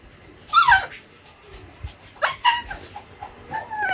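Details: Two-and-a-half-month-old pet Alexandrine parakeet practising talking. Sharp descending squeaky notes come in short bursts, separated by pauses and faint room noise.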